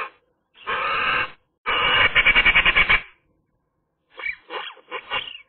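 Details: On a sunny day, a Eurasian magpie gives a steady harsh grating note, then a fast rattling chatter of about ten quick pulses, and after a pause a few softer scratchy notes.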